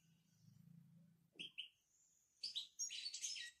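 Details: European goldfinch from Morocco in "babtaba" style: after a low hum, two quick chirps, a thin drawn-out whistle, then a loud rush of high, jangling twittered notes.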